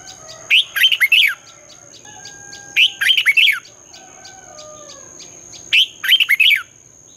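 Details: Red-whiskered bulbul morning song in the twisting 'giọng xoắn' style, used to train and stimulate young birds, competition singing: three bursts of four or five loud, quick whistled notes, repeated every two to three seconds, with a steady high electronic tone behind.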